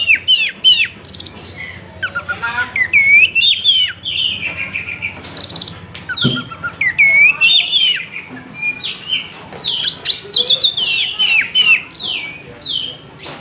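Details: Oriental magpie-robin in full song while opening its tail: a long, rich stream of whistles, looping slurs and scratchy notes in dense bursts, pausing briefly midway.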